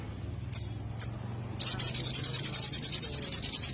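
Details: Used to attract birds, this little spiderhunter utters two isolated high chips, then breaks into a fast, sustained trill of shrill, evenly repeated notes to the end.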